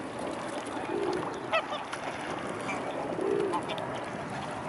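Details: Mute swans gathered in a large group at the Blaues Wunder on 25 May 2016 at 15:27, with two short, low nasal snorting calls amid steady crowd and water background noise and faint higher calls of other birds.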